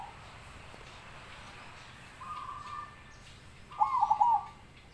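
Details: Soft hum and a faint steady whistle lead into one clear zebra dove phrase, a quick rippling run of cooing notes.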